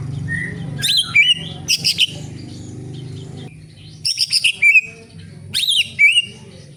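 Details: Cucak ijo, the greater green leafbird, in Indonesia giving spaced bursts of sharp chirps and quick upward-sweeping whistles in four clusters about one to two seconds apart. A short whistled note opens the recording, with a low background hum throughout.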